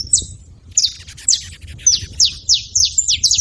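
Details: Saffron finches making noise: a string of bright, high chirps, each a quick downward slur, spaced a few tenths of a second apart and speeding up toward the end, over faint low background hum.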